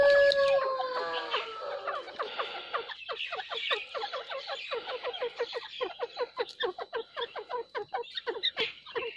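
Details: Grey francolin pair in the 2021 breeding season. Loud call opening with clear whistled notes, then breaking into a long rapid series of sharp repeated notes, roughly three per second, with loudness pulsing throughout.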